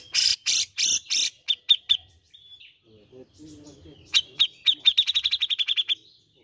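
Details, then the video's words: Grey-cheeked bulbul prompting sound to encourage birds to sing: four loud, harsh, broad calls and a few sharper chirps, a quiet gap with low murmuring, then a rapid accelerating string of ringing notes. "Pancingan Bunyi Cucak Jenggot bahan agar rajin bunyi"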